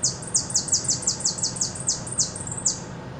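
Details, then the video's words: A hooded siskin from Buenos Aires in repique song: loud, rapid, high-pitched descending notes delivered in a fast even rhythm, slowing toward the end, over low background noise. "jilguero de repique de bs as"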